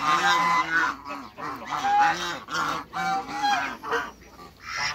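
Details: African geese on a waterbird farm, meeting other waterbirds: loud, nasal honks in repeated bursts, several overlapping, each rising then falling, about two per second with short pauses between volleys.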